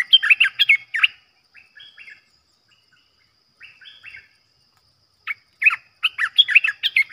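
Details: Bulbul calling as a trapping decoy. Loud bursts of jumbled, warbling chirps open and close the recording, with softer, quieter phrases in between.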